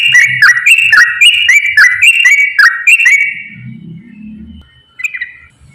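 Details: Rich gurgling whistled phrases of a straw-headed bulbul, a 'gacor ropel' singer used to stir lazy bulbuls: strong repeated warbled bursts for three seconds, then a quiet low murmur and one last short phrase.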